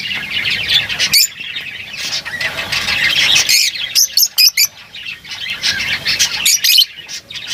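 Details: A flock of lovebirds chattering, with continuous raspy twittering broken by loud sharp squawks and short gaps.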